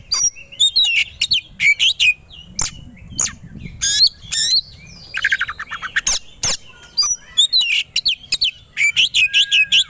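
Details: Caged white-rumped shama, a contest songbird, provoked into aggressive fighting song: rapid, busy run of high whistles, chips and harsh rasping bursts, with a short buzzy rattle midway and near-continuous delivery.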